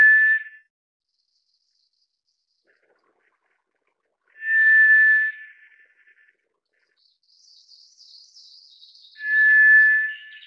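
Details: White's thrush, the tiger thrush, sounding a monotone whistle at steady pitch; three such notes arrive about five seconds apart amid silence, while another bird's thin warbling drifts in faintly.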